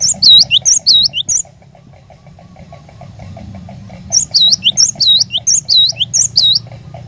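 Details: Cinereous tit song to prompt a caged bird to sing: two bursts of fast, high, dipping whistles with lower slurred notes, separated by about three seconds of quiet with faint ticking and low hum.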